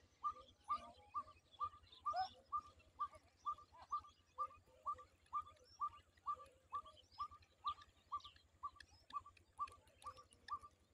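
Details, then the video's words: Black francolin calling with short, sharp notes repeated steadily about twice a second through the whole stretch, over a low constant hum and faint background chirps. "titar voice"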